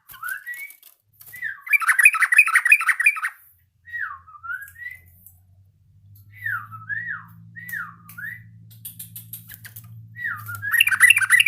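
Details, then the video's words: Yellow-vented bulbul learning its song, giving two bursts of dense, bubbly chatter and a run of looping slurred whistles, each dropping then rising, spaced by pauses, over a faint low hum. "BURUNG TRUCUKAN BELAJAR BUNYI"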